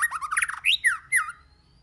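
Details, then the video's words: White-rumped shama song in many voices, meant to stimulate other shamas: a fast, chattering tumble of harsh, buzzy notes, then three clearer slurred whistles, fading into a thin faint tone. "Kích Chòe LửA HóT,chòe lửa hót nhiều giọng"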